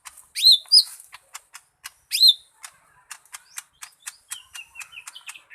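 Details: Lesser green leafbird singing loud, downslurred whistled phrases early on, separated by sharp clicking notes, followed by a quicker run of clicks and short, thin chirps.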